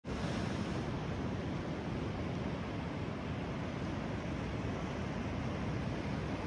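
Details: Continuous roar of waves and surf at the shore, with no animal calls.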